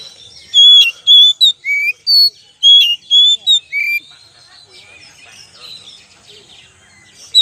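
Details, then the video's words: Oriental magpie-robin singing a lure song: nine loud, varied whistled notes in quick succession, sharp upslurs and downslurs mixed with squeaks, followed by quieter scratchy twittering. "pancingan kacer"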